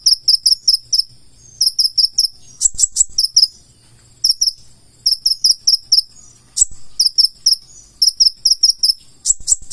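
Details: Energetic 'full isian' song of a purple-throated sunbird: rapid runs of piercing high twin-toned chirps alternating with brief harsher buzzy notes, delivered in repeated clusters over a quiet low background hum.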